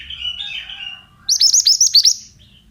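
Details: Male pied bushchat 'bahan' song used as bird-training therapy: a soft wavering warble, then a sharp burst of about eight quick, high, chirping notes in rapid succession.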